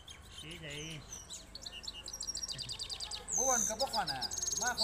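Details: Two-steps song from trained goldfinches matched against each other: bright, rapid twittering with jingling notes and short trills, while a man speaks at the start and again over the closing phrases.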